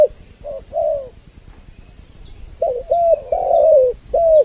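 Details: Spotted dove coos from a two-voice lure for luring males and females: a few low notes, a long silent gap, then a fuller run of hollow coos with downward-curving endings.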